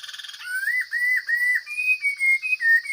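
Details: Chinese hwamei from the forest: a brief fast pulsing burst gives way to a string of sustained, clear whistles that step upward in pitch, with a steady high drone in the background.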